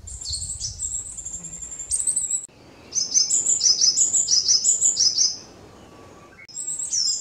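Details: A Japanese tit at a mountain birding site gives rapid, thin, high-pitched notes, about three a second, in short bursts broken by brief pauses.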